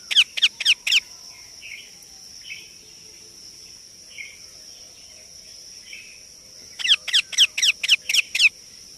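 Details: Indian ringneck parakeet chick with four harsh calls, a lull of low soft chatter, then a rapid burst of about eight grating calls, over a thin constant high whine.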